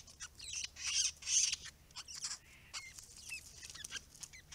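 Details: White-browed babblers at a protected pond with native grasses and open areas; restless, querulous chatter of harsh broadband bursts and short squeaky whistles, loudest early, then scattered chirps.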